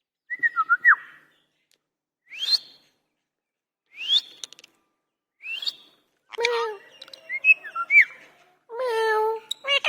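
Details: Indian ringneck parakeet, said to be angry, talking: quick whistled slides, then several sharp rising squeaks spaced about two seconds apart, ending in a run of harsh, wavering speech-like harmonic sounds.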